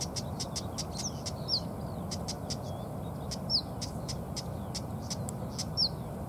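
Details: Female Siberian stonechat, agitated near her nest, giving rapid dry clicking ticks in irregular bursts, broken by three thin, high whistled downslurred notes; steady low rumble underneath.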